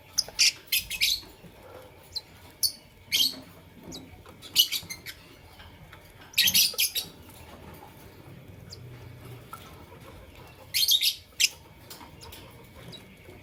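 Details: Fischer's and masked lovebirds in the morning: bursts of shrill, harsh, high chirps come in quick clusters every one to two seconds, with quiet gaps between and a faint low hum beneath.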